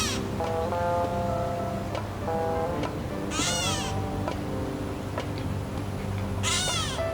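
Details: Gray Catbird at a backyard fruit feeder in Central Florida gives two nasal, cat-like mews with a rising then falling slur, about three seconds apart, over steady background music.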